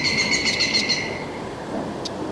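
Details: A European green woodpecker in a forest in southwest Sweden, where red-backed shrikes nest, gives a clear, ringing call on a steady pitch for about a second, over a constant hiss of wind or distant traffic.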